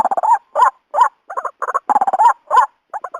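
White-breasted Waterhen giving harsh, croaking, gobbling bursts, about three a second, in an uneven run of rising 'kru-ak' notes. No other sounds stand out.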